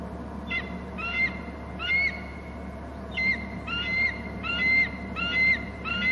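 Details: Bald eagles of a pair on Hornby Island screeching together at their nest territory as a third eagle flies in from inland, captured by a nest camera at 17:55; high piping chattered phrases repeat roughly every 0.7 seconds over a steady low hum.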